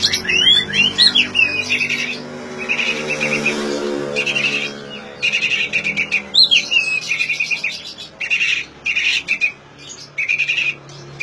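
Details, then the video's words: Oriental magpie-robin singing, played to coax non-singing magpie-robins: buzzy rattled phrases alternate with a few sweeping whistles, over a steady low drone. "suara asli kacer untuk memancing kacer macet bunyi"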